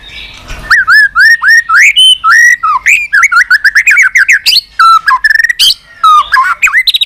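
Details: White-rumped shama with continuous 'tạch' singing to stir up a weak-spirited bird: a dense, fast run of varied whistled notes, curling up and down, with rapid high clicks and rattles among them.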